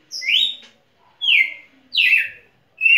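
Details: Champion Red-cowled cardinal singing three loud, clear whistled phrases, each a rapid descending slur from high to mid pitch, spaced about a second apart, with the start of a fourth at the end; quiet background.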